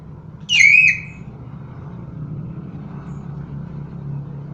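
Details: Loud, shrill squawk-whistle from a common hill myna, a mimic of other animals' voices. One harsh note sweeps down, then flattens into a half-second whistle early on. Low motor hum continues beneath.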